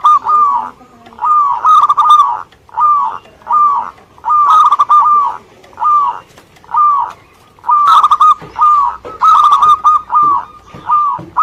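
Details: Local Indonesian zebra dove singing lively: rolling, rhythmic cooing phrases about one second long, repeated steadily with short gaps, each a fast run of soft pulsed notes.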